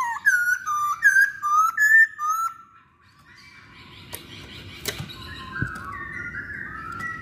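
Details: Masked laughingthrush giving clear whistled two-note phrases that rise then drop, about five in quick succession, followed by a quieter stretch of soft chatter, a few clicks and background noise.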